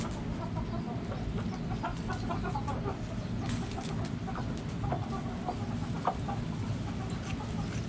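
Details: Several backyard hens cluck softly and continuously, short notes in loose runs, against a steady low background hum.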